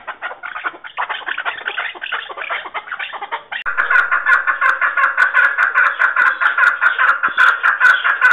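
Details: Chukar partridge clucking rapidly; after a few seconds the calls jump louder into a strong, regular ringing chuck series with scattered clicks.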